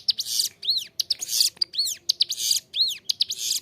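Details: Captive ciblek gunung prinia singing persistently with a clear voice, used as a training model for caged birds: loud, buzzy, hissing bursts alternating with arched whistled notes, roughly one phrase per second, in a small indoor room.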